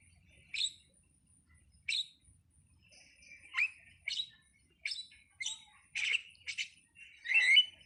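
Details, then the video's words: Starling (jalak) delivering a loose string of sharp chirps and squeaky whistles, sparse at first, then quicker and denser, ending in a louder harsh burst, with nothing else clearly heard. "suwara //burung jalak//"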